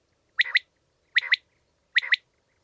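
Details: Common quail calling: a crisp three-part phrase, a sharp note, a softer buzzy middle, then another sharp note. The phrase repeats three times about every 0.8 seconds with clean silence between.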